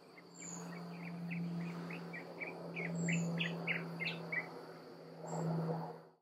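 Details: Brown-capped weaver in Nyungwe Forest National Park, Rwanda, in March 2013: a run of short, clipped notes that quicken and climb in pitch, over a steady low hum and a thin, constant high whine.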